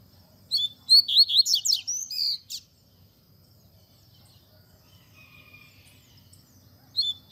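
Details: Double-collared seedeater giving its Tui Tui Zel Zel song, recorded for tutoring young birds: a two-second cascade of quick, high slurred whistles ending in a sharp note, then quiet, with a brief new phrase just starting at the end.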